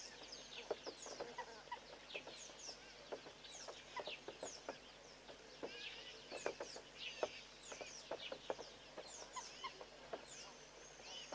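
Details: A Southern pied babbler moving along a fence line utters a steady run of harsh, clipped clucks at uneven intervals, mixed with many faint high twittering chirps and whistles from surrounding birds.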